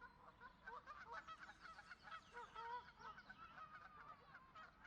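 A flock of geese honking continuously, with many nasal, overlapping calls piling up at a busy, uneven pace.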